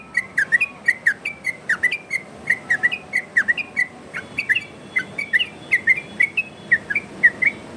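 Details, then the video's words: Loud varied yellow-vented bulbul song used for masteran and luring: lively whistled notes, some swooping down and some flicking up, delivered in quick chattering runs with short pauses and a faint steady hum beneath. "Burung trucukan Ropel variasi!!! Dijamin nyaut trucukan dirumah!!!"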